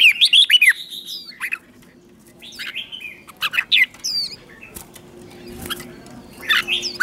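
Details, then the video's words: A red-whiskered bulbul kept to lure wild bulbuls opens with a loud bubbling whistled phrase, followed by scattered short notes, faint chirps and rustling, ending with another quick whistled flourish. "Chào mào mồi gọi bổi không tạp âm, tiếng chào mào mồi gọi là đến"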